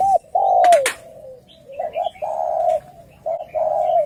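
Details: Male spotted doves in a fighting challenge between males, low mellow cooing notes in short phrases overlapping, with a brief sharp clatter near the start and faint chirps of other birds.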